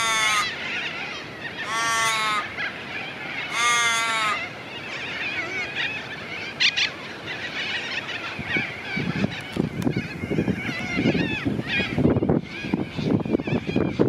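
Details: Australian wood duck in Perth, Australia, feeding, gives three drawn-out, nasal, rising mews in the first few seconds, then rustling and handling noise with faint chirps.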